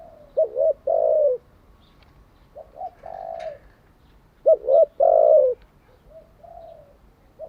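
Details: Spotted dove kept as a decoy for training caught doves, uttering phrases of a quick double coo and a longer falling coo, separated by pauses, with fainter coos from another dove further off.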